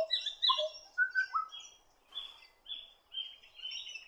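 Black Butcherbird giving rich, fluty whistled notes in quick phrases, some dropping low, followed by higher thin whistles and chirps; no other sounds stand out.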